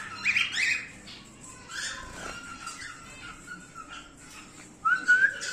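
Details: Male emerald split cockatiel indoors giving harsh squawky chirps at the start, then quieter chatter, ending with a clear rising whistled note; a room echo in the background.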